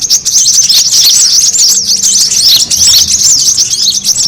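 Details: Noisy brown-throated sunbird lure call used to draw birds in: a continuous, busy stream of thin, very high twittering notes layered over one another, steady in loudness throughout.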